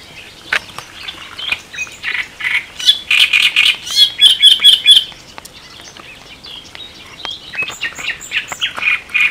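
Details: Great reed warbler along the Elbe in Germany, giving loud, rasping chattering phrases with a run of rhythmic repeated notes, about two per second, mixed with other higher chirps.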